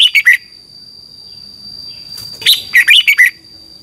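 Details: Red-whiskered bulbul song from Thailand, used to train caged birds for contests: two bursts of rapid, clear warbled notes, three then six, separated by a quiet pause of about two seconds, over a faint steady hum.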